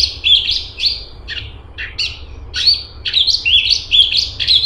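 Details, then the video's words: Straw-headed bulbul (cungkok) in energetic song, tight rapid bursts: sharp high chirps then a quicker string of twisting whistled notes, growing denser toward the end. "Cungkok super gacor besetan rapet"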